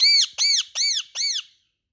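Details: Molting pet Indian ringneck parakeet indoors: four shrill, strident squawks, each rising then falling, evenly spaced about every 0.4 seconds, followed by silence.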